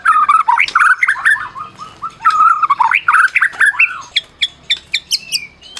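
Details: White-rumped shama of the Medan type, a prize-winning caged songbird, singing to provoke silent shamas: rich warbled phrases at mid pitch, then a run of sharp separate high chips and a thin rising whistle near the end.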